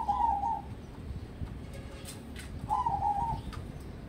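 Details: Zebra dove of crossbred perkutut stock, groomed for song contests, gives two warbling, rapidly trilled coo phrases roughly two and a half seconds apart, with faint clicks in between.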